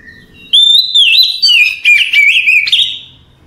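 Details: Oriental magpie-robin singing at night, a relaxed chattering song meant for training other magpie-robins: loud whistled phrases that begin high and steady, then twist and slur downward in quick warbled bursts with short gaps, ending in a trill.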